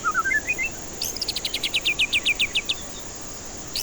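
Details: Lure song of a white-rumped shama for stressed, quiet birds. Rising whistled notes give way to a long, rapid, regular volley of sharp high notes, about twelve in under two seconds.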